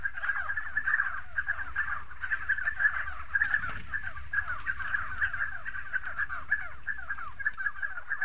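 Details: Spotted sandgrouse in South Morocco: a dense, continuous chorus of many overlapping gurgling, downslurred notes from a flock, steady throughout with no pauses, over a low background rumble.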